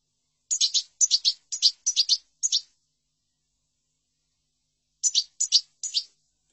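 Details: European goldfinch, song style named chordonier, recorded as tutoring material: bright, buzzy chirps in quick bursts of two to three notes, five bursts, then a pause and three more, with no other sounds.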